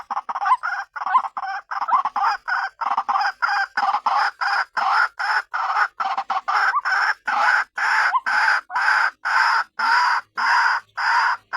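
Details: Lure call of a white-breasted waterhen to bring other waterhens in: a continuous run of loud, raspy croaking notes repeated about twice a second, with a faint high ringing tone throughout.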